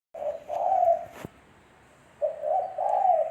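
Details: Spotted dove cooing in daytime, used as a lure sound: two low, hoarse coo phrases, each a short note followed by a longer, slightly rising one, with a sharp click between them.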